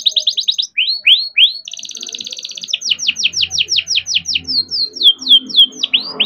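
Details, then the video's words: Young canary, bred in captivity, delivering long rolling song meant as a lure for learning or stalled canaries: quick trills, a dense buzzy rattle, then a long series of sharp down-swept notes repeated several per second, with faint background noise. "KENARI GACOR DOR COCOK BUAT PANCINGAN KENARI BIAR GACOR || KENARI GACOR PANJANG"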